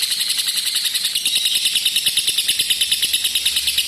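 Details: Lovebird ngekek panjang, a long trill meant to coax silent or lazy birds into singing: a high, buzzy, rapidly pulsed chatter, about three pulses each second over a continuous shrill rattle.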